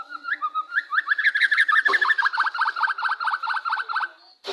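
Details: White-rumped shama song used as a lure to provoke another shama into answering: rich whistled phrases sliding and warbling, then a fast run of sharp repeated chattering notes, about three per second, ending abruptly.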